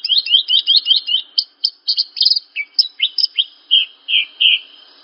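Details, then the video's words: Horsfield's bush lark song used as a masteran, a tutor recording for young captive larks: a loud, clear series of quick chirps and short whistled phrases, many notes sliding downward, repeated in rapid bursts and then slower spaced notes, on a silent background. "Masteran Burung Branjangan"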